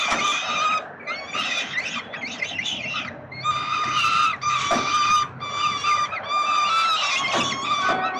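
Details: Peregrine falcon chicks at 367 Collins, Melbourne, Australia, begging as the father brings food, 30 October 2021: a chorus of shrill, nasal wailing screeches, some wavering and chattering, repeated in quick uneven bursts with occasional knocks.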